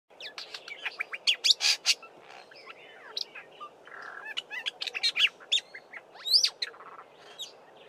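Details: Black-bellied starling singing and mixing in mimicry of a Fork-tailed Drongo and other local birds; a busy jumble of sharp chirps, quick slurred whistles and harsh buzzy notes, varied and nearly continuous, over a quiet background.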